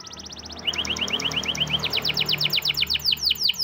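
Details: Morning training song of a champion canary: quick paired notes repeated evenly, then swooping descending whistles, over a background hum.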